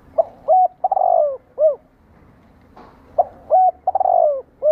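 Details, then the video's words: Two full coo phrases from a spotted dove, with a pause of about a second and a half between them. Each has a brief lead note, a steady coo, a long rolling falling note and a closing hoot. Used as a lure call to excite captive decoy doves. "CU GÁY ,THÚC, GÙ ĐẢO NƯỚC KÍCH BỔI"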